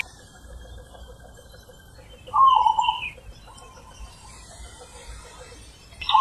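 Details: Zebra dove in the wild giving one short, rolling, trilled coo phrase in the ulem manggung style, preceded by a thin, higher chirp from another bird against quiet background hiss.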